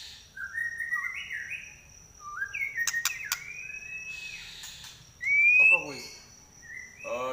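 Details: White-rumped shama, trek-style song described as shrill and piercing: bright whistled phrases that rise and fall in steps, broken by sharp clicks and a rising buzzy note, with a steady high whine behind.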